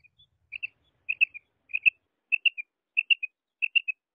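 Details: Female quail giving grouped squeaky chirps, two or three quick notes per burst. Bursts repeat roughly every 0.6 seconds against a quiet background, with one faint thump in the middle.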